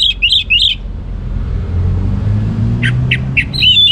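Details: Brief bursts of orange-headed thrush ngeplong song: a quick trio of looping whistles at the start, then after a pause a few sharp clipped notes and a rising whistle, against a prominent low rumble like passing traffic.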